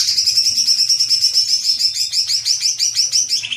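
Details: Lure call of a greater green leafbird, aimed at quickly triggering long 'ngekek' chattering: a sustained, very high, fast chatter of tight repeated notes, roughly three per second in clusters, slightly descending toward the end.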